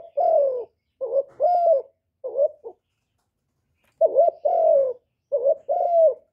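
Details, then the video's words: Spotted dove (cu đất) calling, recorded cleanly to excite decoy and male doves. Double coos follow in short runs, a clipped opening note and a longer level-to-falling coo, broken by a quiet pause of about a second. "TIẾNG CHIM CU GÁY KÍCH MỒI RẤT HIỆU QUẢ, CU GÁY KÍCH TRỐNG CỰC HAY"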